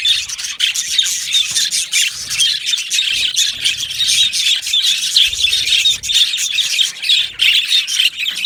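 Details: Flock of yellow male budgerigars in an aviary giving squeaky chirps and short squawks over a dense high chattering background, loud and unbroken throughout.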